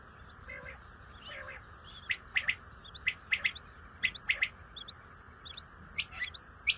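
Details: Common quail giving repeated short, bright notes in rapid clusters, phrases coming about once a second, with faint lower mewing notes underneath and a constant hiss.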